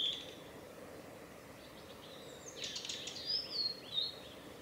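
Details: Male blue-and-white flycatcher calling on a Tanzawa forest road in Japan, 8 June 2020: one high whistle at the start, then a burst of ticking notes followed by two sharp descending whistles, over soft background noise.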